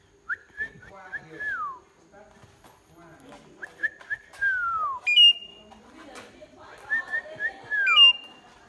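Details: Pied myna song of drawn-out whistled phrases that waver and then slide downward, broken by sharp high flat whistles, with quieter chattering between phrases.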